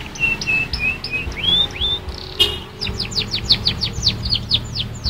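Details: Young canary practising its song: a series of flat whistled notes and short upswept chirps, a brief click, then a fast sequence of high descending sweeps repeated several times per second.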